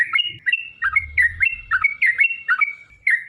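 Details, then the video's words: Sooty-headed bulbul in long, continuous chattering song meant to stir other birds to answer: rapid, liquid whistled notes in quick bubbly phrases, one after another, with soft low knocking in the background. "trucukan gacor TARUNG ROPEL PANJANG pancingan trucukan agar bunyi"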